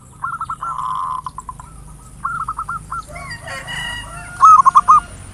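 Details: Zebra dove, local type, in ngayer nulop lure song to provoke singing: rippling runs of soft cooing notes, a drawn-out tonal sound mid-way, then a loud clipped phrase of coos at the end.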